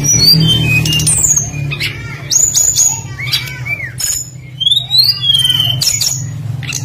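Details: Energetic tledekan flycatcher giving a rich, varied song used as a lure for other songbirds: rapid sequence of thin whistles, downslurred and upslurred notes and chips, about four per second, over a steady low hum.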